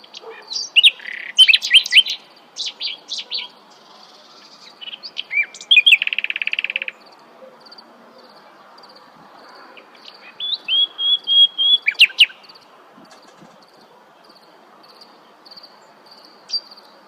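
A nightingale sings rich, varied phrases of sharp chirps, whistles and rapid trills, broken by brief pauses.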